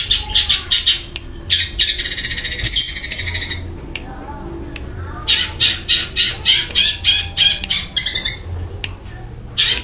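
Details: Long-tailed shrike delivering harsh fill-in phrases and rolling rapid-fire bursts: buzzy, rasping notes in quick succession, one long grating stretch, then a fast pulsed series of scratchy chips.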